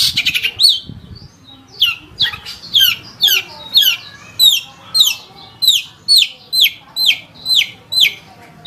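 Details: Long-tailed shrike repeating a sharp, down-slurred whistled note roughly twice per second in a steady series, after a brief opening of mixed chirps.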